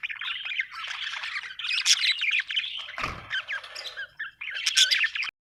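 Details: Happy budgie chatters with scratchy warbles and high squeaks, a brief low rumble around the third second, then a final burst of chirps before the sound cuts out.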